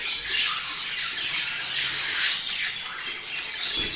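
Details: Budgerigar mating chatter for prompting pairs to breed: a steady wash of high, raspy twittering with pulsing swells of squawks roughly every half second.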